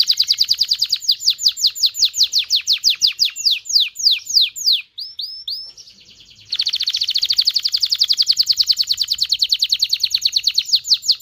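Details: Excited canary singing to stimulate male and female canaries to mate: fast rapid trills of downward-sweeping high notes, a brief pause with a few slurred notes, then a dense buzzing high roll.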